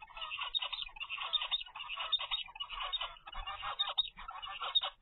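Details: Kept zebra finch chick, 25 days old, from a first clutch: a dense, continuous run of nasal, harmonic-rich calls, rapid and uneven, pouring out for the full five seconds.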